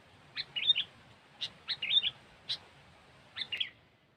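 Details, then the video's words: Sooty-headed bulbul singing as a trapping lure. Short bubbly phrases of a sharp note and a quick fluty warble repeat about once a second, with gaps between, over a quiet background. "Suara Burung Kutilang"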